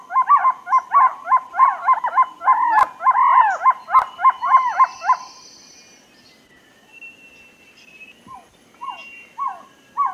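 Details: Dense run of overlapping hollow trogon notes for about five seconds, as if several birds call at once, then a pause and a few fainter, spaced single notes.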